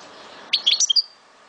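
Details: Algerian European goldfinch from Souk Ahras, Algeria, singing: a quick burst of about five high, bright tinkling notes packed into half a second, then quiet with a faint low hum.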